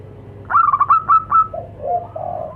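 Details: Local zebra doves, male and female, calling to each other; a crisp fast run of about six staccato coos answered by three softer, lower, rounder coos.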